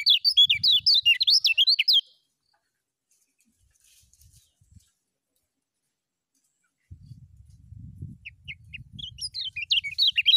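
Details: Lemon-bellied white-eye in 'ngejos' song style, a training recording: two seconds of rapid, high zigzagging whistled notes, then a long silence, then low rumbling background with a few scattered high chips and a brief renewed burst of twittering.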